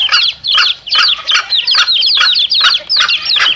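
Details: Chicks beside their mother hen, a lure recording for wild junglefowl: loud, tight clusters of high falling cheeps, nearly continuous, punctuated by regular sharp clicks.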